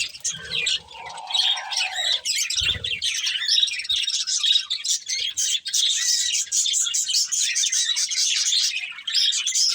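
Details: Budgies, a breeding pair feeding, keep up busy high warbling chirps; early on a lower drawn-out note and a brief thud, then unbroken rapid twittering to the end.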